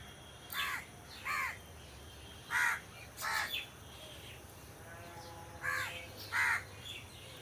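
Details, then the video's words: Crows among trees giving harsh, hoarse caws, mostly in pairs: six calls over about seven seconds with quiet gaps between, over a steady background hum. "Crow Sound Crow Ki Awaj"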